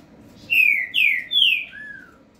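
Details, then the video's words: Double-collared seedeater, one of two kept birds placed facing each other, one said to be three or four years old: three loud slurred whistles falling in pitch, then a softer lower drawn-out whistle, over faint room hum. "Papa-coleiro It a coisa x coleiro"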